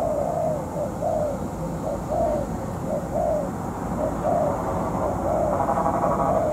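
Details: Molting spotted dove decoy used in trapping. Soft repeated coos in loose phrases, with a buzzy mechanical hum creeping in toward the end.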